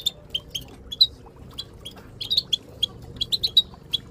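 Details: Goldfinch giving short, high, liquid tit-tit calls in loose bursts, about a dozen notes over four seconds, against a faint background hum; group twittering used to stimulate silent goldfinches to sing.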